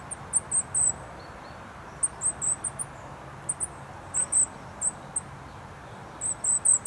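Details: Goldcrest singing in bushes at Rooksbury Mill Local Nature Reserve on an overcast 3 December 2017: very high, thin, tinkling phrases of three to five quick notes every second or two, over the soft rumble of A303 traffic.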